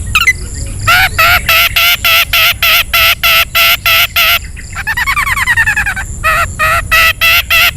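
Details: Long-tailed shrike in ngetet style, a lure for shrikes slow to sing: loud harsh grating notes about three per second, interrupted by a quick descending trill, then more rasping notes.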